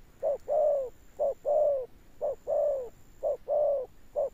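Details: Spotted dove cooing in the thunder-toned 'âm sấm' style, clear paired notes, a brief coo then a long gently falling one, four pairs in quick succession over a faint high whine.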